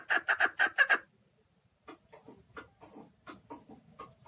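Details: Keklik, the chukar partridge, kept in a cage in Tajikistan in 2020: five loud chuk notes in quick succession, then a pause and a string of softer, scattered clucks.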